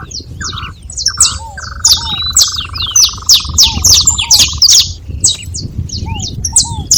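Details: Several saffron finches calling together: dense, overlapping high sharp chirps and down-slurred notes, with a steady lower buzzy trill held for about three seconds and soft arched whistles below.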